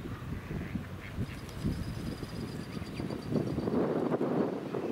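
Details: Eastern spot-billed ducks at Itsukushima (Miyajima), Hiroshima, 20 May 2018, give low, rough quacks and muttering chatter, about two a second, over a steady background rumble.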